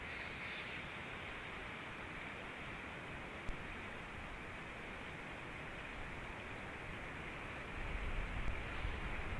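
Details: Steady broadband hiss throughout, with a single sharp click near the middle and a louder low rumble at the end.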